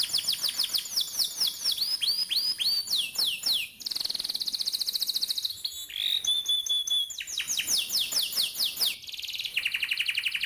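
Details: Long, tight, rolling canary song meant to coax young canaries into singing: cascades of fast swept chirps alternate with buzzy high rolls, a short whistled glide in the middle, and more trills after.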